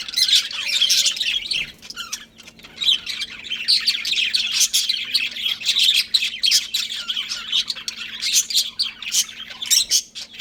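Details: A breeding pair of pet budgerigars chirping continuously: dense, rapid high twittering and warbling with scratchy chatter running through the whole stretch, dipping only briefly, over a faint steady low hum.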